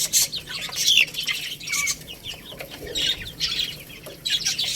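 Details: Chicks at a rice meal make scattered shrill peeps, some with a falling pitch, amid bursts of clicking pecks and scuffling.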